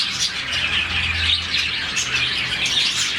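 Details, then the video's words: Colony of around 40 budgerigars chirping in the morning, a sound made when they are happy; dense, overlapping high chirps and twitters with no pauses, plus a faint low hum underneath. "Lovebirds, budgies, parakeets morning chirping sound"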